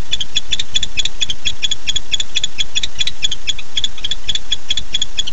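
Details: At night, a male barn owl calls for his mate at the nest, 8 September 2015: a fast, steady series of sharp, high ticking notes, roughly eight per second, throughout, with low background rumble.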